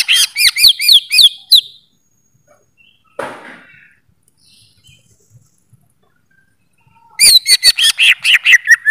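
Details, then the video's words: Greater green leafbird singing rapid, bright whistled phrases of rising and falling slurred notes. Two fast bursts are split by a long lull that holds a single soft thump and faint background noise. "Suara Burung Cucak ijo"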